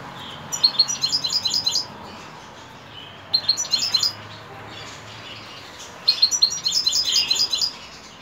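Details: European goldfinch singing in the evening, three bursts of rapid, bright twittering phrases of repeated high notes, each about a second long and separated by short pauses; quiet background.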